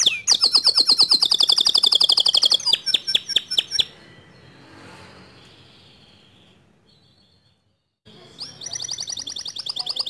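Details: Male white canary in song: a rapid high trill, then a run of louder clipped notes, a pause with low background noise, and the trill resuming near the end.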